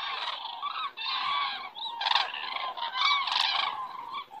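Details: A flock of common cranes circling in the evening sky over Estonia in September 2017, keeping up a steady chorus of rolling, trumpeting calls with a few louder peaks.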